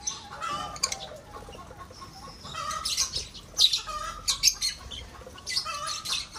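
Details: Lovebirds in a breeding aviary chatter with repeated shrill, harsh squeaks, short bursts clustering in the middle and again toward the end, with lower chirps in between.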